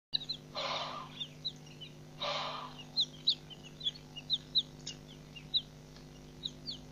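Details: Helmeted guineafowl (Numida meleagris) at Nkorho Pan, 15 June 2007: two harsh, rasping bursts about a second and a half apart, then scattered high chirps from smaller birds over a steady low hum.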